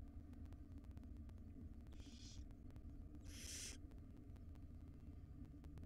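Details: Begging hisses from five wild baby barn owls in a nest box being fed by their mother: two breathy, broadband screeches roughly a second apart, the second louder and longer, over a persistent low hum.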